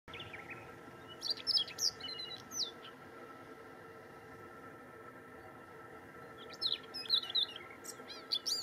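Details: Singing male Siberian rubythroat in coastal shrub at Lake Saroma, Hokkaido, Japan, 6 June 2019; two bursts of high, varied warbled and slurred whistles, quick and scratchy, separated by a pause, over a steady low hum.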